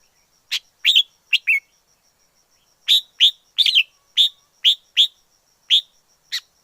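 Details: Song of a wild red-whiskered bulbul: a run of loud, crisp whistled notes, each sliding down in pitch, repeated roughly every half second in a lively sequence after a brief opening phrase.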